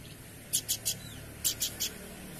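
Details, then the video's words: Horsfield's babbler, a bird in full song, producing two tight groups of three rasping chip notes, one group after the other, over a soft constant hum. "Burung Planduk Semak Gacor"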